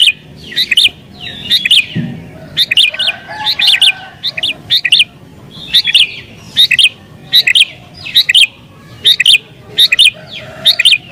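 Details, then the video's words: Agitated sooty-headed bulbul song meant to draw wild bulbuls and make other birds answer: steady run of bright, bubbling two- and three-note chirps repeated about once a second for over ten seconds. "Burung Kutilang Gacor Isian Cocok Buat Pikat Burung Kutilang Liar"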